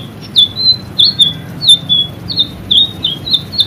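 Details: White-rumped shama singing 'gacor' for caged-bird training: bright, short whistled notes with quick upward and downward flicks, evenly spaced about three per second over a soft low background.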